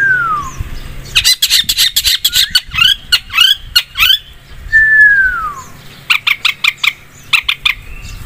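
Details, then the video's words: Long-tailed shrike lure song with strong, steady singing. Long falling whistles open and recur, separated by quick runs of harsh, rasping chattering notes. A faint low hum sits in the background. "PANCINGAN BURUNG CENDET GACOR 100%"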